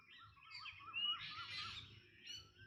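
Black drongo giving wavering, metallic whistles and harsh chattering notes, with a burst of buzzy, scratchy sound mid-clip; faint low background rumble.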